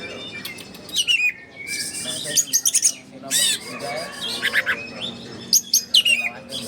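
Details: An oriental magpie-robin, in a song recording meant to lure other magpie-robins into singing, sings a rich, varied stream of high whistles, sweeping slurs and quick chattering bursts, with short pauses between phrases.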